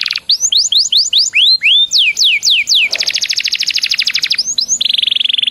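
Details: Lure song of a canary to make others sing: a series of looping upward-then-down whistles about four per second, then a rapid rattling trill, a couple of short swoops and a steady buzzy roll.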